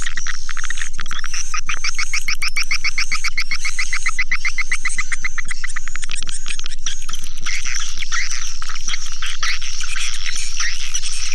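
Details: Lure call to attract swiftlets: a fast run of rapid, rattling chirp notes, then broader twittering, all over a steady tick repeating about four times per second.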